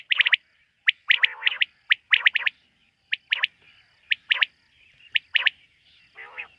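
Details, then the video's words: Quail at night, in a setting linked to quail hunting: a busy series of sharp, high chirps in groups of two to four, spaced about a second apart, ending with a softer raspy note, over a steady hum. "Bater ki rat wali awaz ۔۔quail sound of night"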